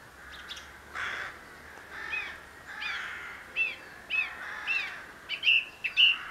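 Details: A song thrush singing in May 2016, Perthshire: short, varied phrases, some repeated, mixing scratchy rasping notes with clear, ringing whistles about once a second.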